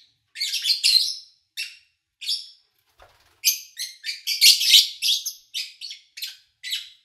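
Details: Chirping of kept lovebirds recorded in August 2019 during the owner's trip away; sparse shrill chirps open, then a faint click, followed by a dense rapid volley of harsh chirps.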